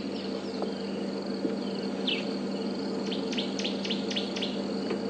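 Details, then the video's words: A Woodland Kingfisher calls in the background on a February morning safari drive: a run of sharp, high notes speeding into a trill, over a steady insect drone and faint bird chirps. "But the woodlands kingfisher is calling now in the background. Oh,"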